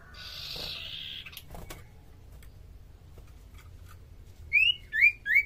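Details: Common iora giving three loud, rising whistled notes about half a second apart after an opening harsh, hissing buzz, over a quiet background; used as a lure call to draw other small birds into singing.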